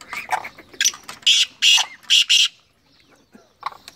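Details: Black francolin (Francolinus francolinus) song: loud, harsh, grating bursts, three strong ones in quick succession, while a man's voice urges the bird on before and after.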